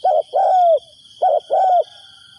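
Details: Spotted dove decoy calling wild doves: a brief coo and then a long gently falling croo, repeated once, clear and close, with a faint steady electronic whine.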